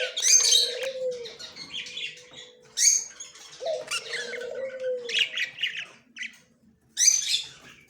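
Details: Male budgerigar with yellow plumage, October 9, 2024: a jumble of scratchy chattering chirps and squeaks, broken by a couple of lower smooth falling tones, with a quiet pause before a final chirp.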